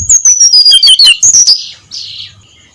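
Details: Brown-chested jungle flycatcher, singing at first light in ngeplong style: about a second of rapid, high, sliding whistles falls in pitch, followed by a softer, hissing high note.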